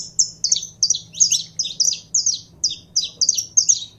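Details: Saffron finch kept as a cage bird and warmed up, giving evenly spaced, high, sharp chirps with downward slurs, about three per second, over a faint low hum.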